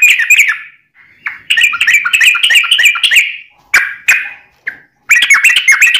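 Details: Ropelan-style Yellow-vented bulbul song for training birds and luring wild ones: busy chattering phrases of bubbly notes, interrupted by short gaps and isolated sharp chips before a final rapid burst.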